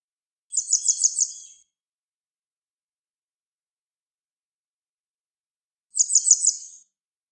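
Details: Grey wagtail song with two short, high-pitched bursts of quick repeated chipping notes, each about a second long and separated by around five seconds of silence.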